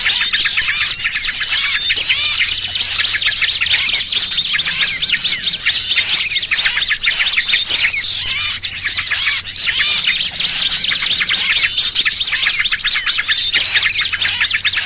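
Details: Lure sound for trapping small birds: a continuous busy chorus of many birds, with shrill chirps, quick rising and falling whistles and chattering trills crowded together, and a faint steady low hum underneath.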